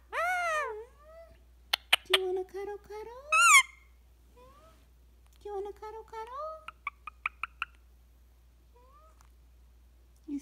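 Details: A pet Indian ringneck parakeet (rose-ringed parakeet), relaxing with its owner, chatters and talks, saying "tickle, tickle", in bursts of squeaky, warbling syllables and sharp clicks, with a few rising, speech-like notes and quiet pauses between phrases.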